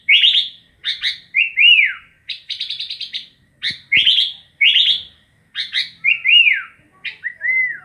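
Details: Sooty-headed bulbul song of bright rising chirps, slurred whistles that rise then fall, and a short run of rapid repeated notes midway, delivered in quick phrases with brief pauses between.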